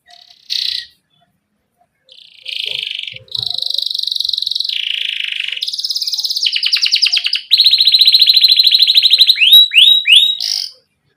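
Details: Canary rolling song with pauses, played to encourage young canaries to sing: a single chirp, then a long string of buzzy trilled tours shifting pitch, fast rattles and a few rising whistles before stopping.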